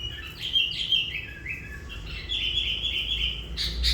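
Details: Sooty-headed bulbul, a lure bird said to have drawn in hundreds of wild bulbuls, singing lively whistled phrases that dip and rise in quick bubbling notes, ending with a brief harsher burst.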